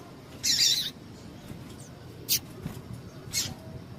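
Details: Calling female double-collared seedeater, whose call is used to stir up males for singing tournaments: one longer buzzy high note, followed after a pause by two brief sharp chirps, against a quiet hissy background.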